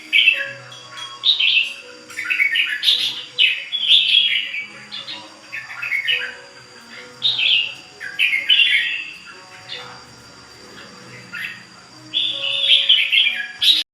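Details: Ché bird in extended continuous song. Loud, varied phrases of rising and falling whistles, slurs and twittering trills, about one phrase every second or two, with a brief pause midway.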